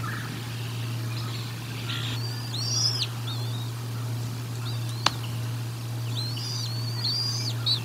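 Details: Bald eagles at the Decorah North nest during a feeding, recorded 04 01 2022 by nest camera: a few high, thin, arched whistles in two short bursts, one sharp click, over a steady low electrical hum.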